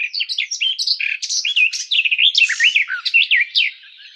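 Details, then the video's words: Garden warbler singing a fast, continuous warble of rich, rounded notes, many short rising and falling slurs packed closely together with no pause, fading at the end. "Как поёт Славка садовая Sylvia borin"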